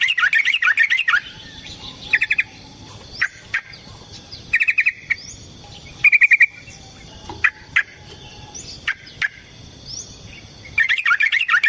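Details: Yellow-vented bulbul in long fighting song, a lure recording: scattered short bursts of fast chirping notes separated by pauses of a second or more, with a fuller chattering phrase at the start and at the end.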